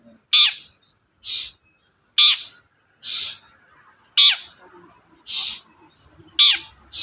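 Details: Long-tailed shrike, a bird played to prompt a quiet shrike to sing: short harsh notes in the upper range, spaced roughly one second apart, alternating louder and softer, with a faint low hum beneath.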